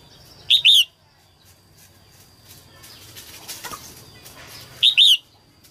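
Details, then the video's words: Female red-whiskered bulbul singing early in the 2022 season to stir males into song: two loud, brief double-noted whistled phrases about four seconds apart, with faint murmur and rustling between them. "Tiếng chim Chào mào mái hót kích trống đầu mùa 2022"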